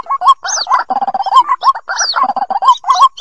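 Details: Calls of young white-breasted waterhens, used for luring birds from dense scrub: busy series of quick rising squeaky notes and nasal chattering, punctuated by high descending squeals, with no clear pauses.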